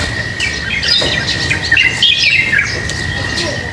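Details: Lovebirds chatter while being fed, rapid scratchy squawks and chirps running together, about three per second, over a steady high-pitched whine.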